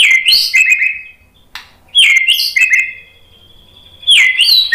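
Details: White-rumped shama singing to stimulate other shamas: three bright bursts of high chirps and whistles, one trailing into a long steady whistled note, separated by short quiet gaps.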